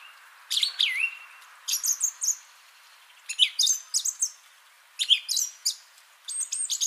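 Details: Song thrush singing, recorded 30 January 2021: loud, varied whistled and fluty phrases, each motif repeated two or three times in quick succession with short pauses between groups; background quiet.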